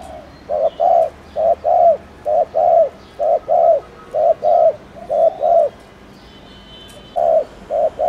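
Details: Fast 'gù' (bo) coo series from a spotted dove: hollow, mellow paired notes, each pair a brief coo followed by a slightly longer one, repeated rapidly, pausing for about a second and a half near the end before resuming.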